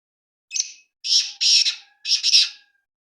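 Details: Black francolin (kala teetar) giving mixed calls: a brief harsh, grating phrase of four raspy, buzzy notes spread over about two seconds. The middle notes are doubled, and a faint steady whistle-like tone runs underneath.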